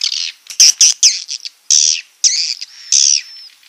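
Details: Swiftlet roosting call, used as a lure to draw swiftlets into nest houses, 2022: harsh, buzzy high chirps and squawks in short irregular bursts, with one clean thin whistle trailing off near the end.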